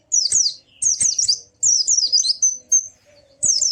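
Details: White-eye, cage bird, sound meant to prompt a silent bird to sing: bursts of very high, rapid zigzag chirping phrases separated by short pauses, with a brief pure whistled note.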